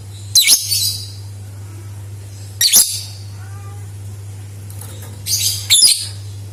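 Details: Lovebird calls used as a lure to set other lovebirds singing, short sharp bursts of high, grating chirps recurring every couple of seconds, the last pair close together, a steady low hum behind.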